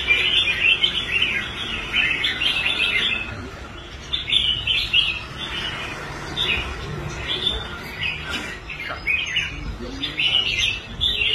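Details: Caged red-whiskered bulbul brought back into form after quitting contests, singing well on the competition rack: dense bursts of sweet chirping notes, repeated phrases with short gaps, distant chatter of people.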